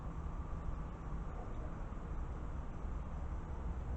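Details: Steady low rumble of passing vehicles with broadband hiss, and no animal voice anywhere.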